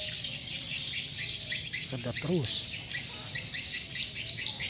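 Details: Swiftlets at a lure-call playback, birds circling and gathering: dense, overlapping high twittering chirps throughout. A man speaks briefly at mid-clip with a low rising-falling voice.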